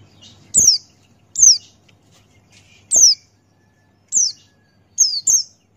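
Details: Male Buxtoni white-eye singing in the 'ngalas buka paruh' style: five sharp, high whistled notes, each sliding steeply downward, spaced about one second apart, the last one doubled. Quiet background.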